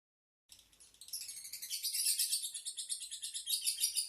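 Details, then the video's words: Lovebird chattering: after half a second of silence, a dense, high, buzzy twitter builds steadily louder, with rapid pulsed chirps about three per second and no other sounds. "Kicau Lovebird | Ocehan burung Lovebird"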